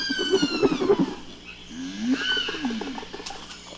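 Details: Marabou stork (Leptoptilos crumenifer) pair greeting at the nest after one lands, bowing: a fast hollow bill-rattle under a long falling squeal, then a low, cow-like moan that rises and falls.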